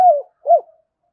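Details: Spotted dove calling to stimulate other doves: two brief, mellow coos, the first falling and the second rising then dropping, followed by silence.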